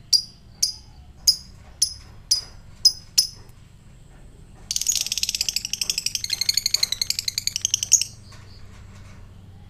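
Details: Fighter lovebird ticking, then going into ngekek to provoke other lovebirds: six sharp, evenly spaced clicks about every half second, a pause, then a dense, high, rattling chatter lasting about three seconds.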